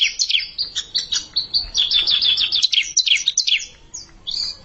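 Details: Untrained bar-winged prinia challenging a seasoned rival: rapid high chirped notes with quick downslurred whistles, packed into a busy, irregular burst that fades near the end.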